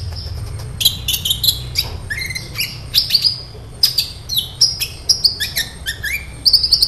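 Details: Lively sunbird song played as a lure to trigger singing in caged sunbirds: rapid high twittering with thin whistled notes, quick downward slurs and chirps in bursts, over a faint low rumble.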